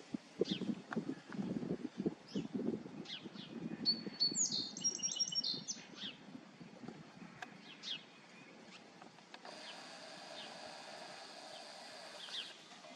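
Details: Song sparrow singing: a short burst of sharp, high, varied notes and a quick buzzy trill near the middle, over loud low rumbling noise, with a steady broad hiss filling the final few seconds.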